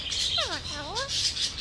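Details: Alexandrine parakeet kept as a pet, talking with its owner: a falling harmonic swoop followed by a U-shaped rising phrase, over a loud hissing background.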